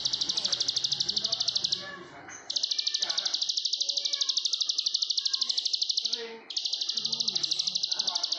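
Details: Plain prinia, known in Indonesia as ciblek sawah, delivering nonstop ngebren song: long reeling trains of fast buzzy high-pitched notes, broken by two short gaps, with faint low background sounds.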